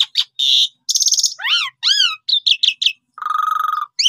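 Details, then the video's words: Asian pied starling lure song meant to prompt young or silent birds to sing: buzzy notes, arched and down-sweeping whistles, a series of short chips, a long flat churr and a closing rising whistle. "Jalak Suren Paud, Pundung Langsung Respon Gacor Dengan Pancingan Jalak Suren Ini"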